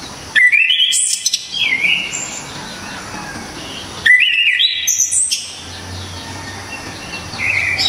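Orange-headed thrush singing two loud bursts of rich, varied whistles, rising and stepping through high notes, about four seconds apart; a faint low hum underneath.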